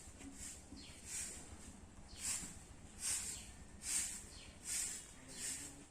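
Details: Indian ringneck parakeet chick making a steady series of harsh, breathy hisses, about seventy-four a minute, swelling and fading with each burst over faint low hum.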